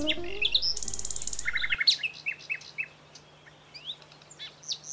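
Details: Common Nightingale singing on the plateaus between Aragon and Extremadura in Spain, where it is omnipresent: a buzzy high block and a quick run of repeated chirps, then scattered sharp slurred notes. Low voice and hum fade out early, with soft background birds.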